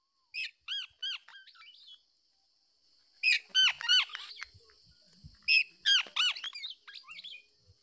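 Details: Black-naped oriole parent defending its chick from an attacking male that tries to take the young bird: loud nasal, arched harmonic calls in quick bursts of three to four, with pauses between groups, against a steady high background hiss.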